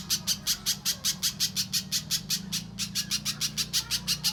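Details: Clear mbeset-style song of a little spiderhunter for training contest birds: crisp, high, repeated chips nearly three per second, a short gap in the middle, then the run continues over soft low hum.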